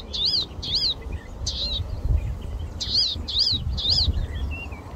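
A Palestine sunbird gives sharp, high, arched chips, repeated about every half second in two short bursts, over a low rumble of wind or distant traffic.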